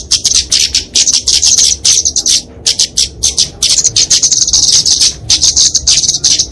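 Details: Fighting song of a flowerpecker (kemade), a small Dicaeum bird used as a tutor and lure for songbirds: shrill, rapid, chattering ticks in long high-pitched strings with short gaps between bursts.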